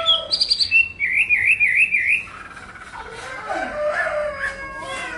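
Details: Chinese hwamei giving high whistled notes followed by a quick zigzag warble lasting about a second, then softer, jumbled twittering phrases.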